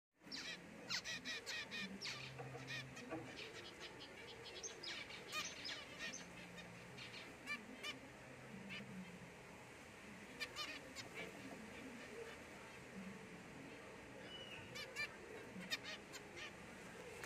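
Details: Pied zebra finch chick giving short, nasal, honking calls over a busy background of chirping.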